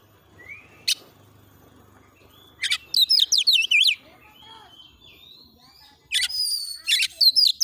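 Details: Training song of an oriental magpie-robin over a low background hum: after a quiet start, two loud bursts of quick, high twisting whistles and sharp chips.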